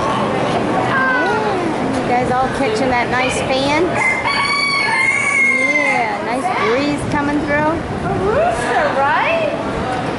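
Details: Roosters and hens in a poultry barn: several roosters crow over one another amid constant clucking and squawking from many birds, a dense, busy barnyard din.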